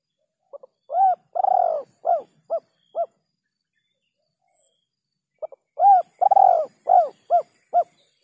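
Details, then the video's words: Spotted dove, the rare kuk 2 and kuk 3 ending used as a lure call: two cooing phrases, each of soft clipped notes, a long rolling coo, then three short hollow coos, separated by a few seconds of silence. "SUARA PIKAT BURUNG TEKUKUR KUK 2 DAN KUK 3 //SUARA TEKUKUR KUK 3"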